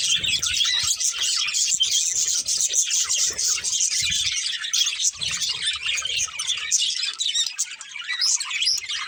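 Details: Breeding pair of colourful budgerigars singing: steady high-pitched chattering warble with scattered squeaks, accompanied by soft low murmuring sounds at intervals.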